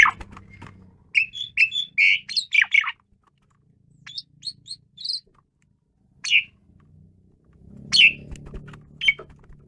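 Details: Frenzied singing from an Asian pied starling, a quick cluster of whistled and scratchy notes, then softer scattered phrases and isolated sharp calls over a faint hum.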